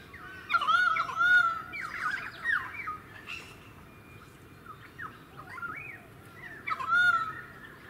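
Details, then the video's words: Pied currawong in a suburban area of the Sunshine Coast, Queensland, filmed in February 2018, giving loud ringing, harmonic calls with gliding notes, in bursts near the start and again near the end, over steady low background noise. "Pied Currawong 2"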